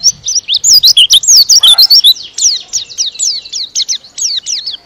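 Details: White-eye kept as a songbird in Indonesia delivering a fast, packed run of loud high chirps, then a string of downward-slurred whistled notes in even succession.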